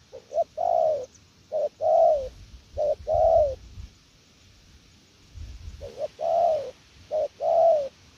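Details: Spotted dove performing a "gù lèo nước" coo: three phrases of quick short notes leading to a long falling coo, a pause with low rumbling, then two more such phrases.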